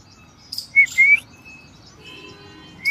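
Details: Cockatiel kept as a pet at home: two quick rising whistled notes close together, followed by a pause with faint tones and another rising whistle at the end; a short harsh chirp comes first.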